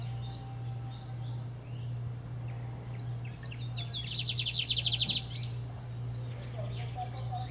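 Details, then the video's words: Singing in earnest, a lined seedeater (Sporophila lineola) in Brazil gives thin sliding whistles, then a rapid burst of around a dozen sharp repeated notes lasting about a second, with more high chirps afterwards and a constant low hum. "Estrelinha Bigodinho cantando pra valer (Sporophila lineola)"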